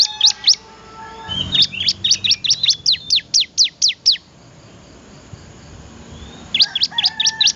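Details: Bar-winged prinia in lively, vigorous song: a fast run of about a dozen sharp, high, steeply slurred notes, a pause of two seconds, then another brisk burst of similar notes. Faint lower tones hum in the background.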